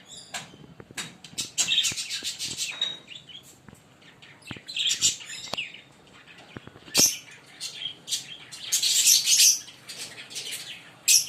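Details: Green Fischer's lovebird pair singing, with irregular bouts of high, squeaky chirps and rasping twitters, loud clusters near the start, middle and end, and sharp clicks between bouts.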